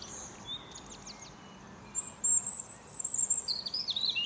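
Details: Morning song of a European robin perched on a fir tree: a few thin high notes, then long sustained whistles and quick descending trilled phrases, growing louder toward the end.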